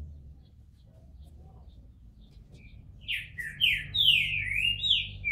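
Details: Green-winged saltator in captivity, bald while coming out of moult. Nearly three seconds of quiet room hum come first, then a burst of bright, slurred whistled notes that rise and fall until the end.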